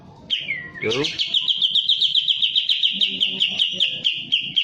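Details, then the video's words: Kapas tembak in breeding condition with tail spread, singing energetically: a brief whistled note, then a long rapid buzzy trill of high repeated notes, about four per second, sustained for several seconds. "full kapas tembak gacor buka ekor birahi"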